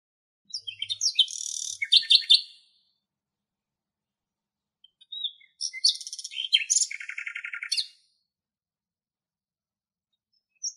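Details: Common nightingale singing in Greek nature: two rich bursts of varied phrases, with fast rattling trills, buzzy notes and clear whistles, separated by a few seconds of silence.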